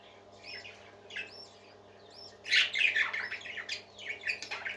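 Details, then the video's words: Happy parakeets singing: looping whistled notes early on, then a dense run of rapid scratchy warbles and chirps, many notes each second, against a faint low hum. "Happy Parakeets Singing"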